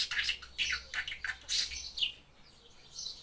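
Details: Pet budgerigar chattering indoors: quick bursts of high, scratchy warbling and chirps, several phrases in a row, then a softer trailing note.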